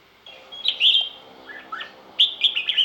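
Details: Loud, clear song of a red-whiskered bulbul: a sweet whistled phrase, then lower slurred notes, then a quick series of bright chirped notes at the end, with little background noise.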